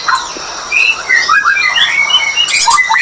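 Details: White-rumped shama mating sound meant to trigger breeding condition; a quick string of bright whistled notes, short slurs and trills at varied pitches, with a brief rattle near the end.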